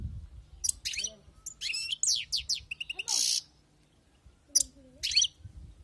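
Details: Wild-caught European goldfinch song: quick liquid twitters, a descending run of sweeping notes, then a harsh buzzy rattle, followed by a pause and two more short twittering bursts; faint low hum behind.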